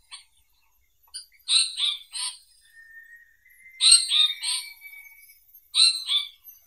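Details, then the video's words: Asiatic paradise flycatcher phrases: two groups of rasping, grating notes about two seconds apart, joined by a long, thin, level whistle. "Who sings?🔸 This is the Indian paradise flycatcher"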